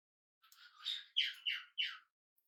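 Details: Tame, hand-reared budgerigar on its first day at home, indoors: a soft rising chirp, then three loud, squawky chirps that sweep downward, each following quickly after the last.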